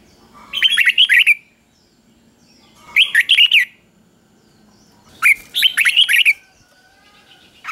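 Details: Red-whiskered bulbul, a cage bird, repeating a common three-syllable doubled training song for young birds. Three clear warbled phrases about two seconds apart, each a rapid run of sweet rising and falling notes, over a quiet background.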